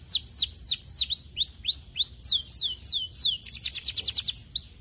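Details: Singing canary used to get idle canaries singing: repeated high down-swept whistles and rising slurs, then a quick buzzy trill of evenly spaced notes, ending in two clear whistles, with no other noise.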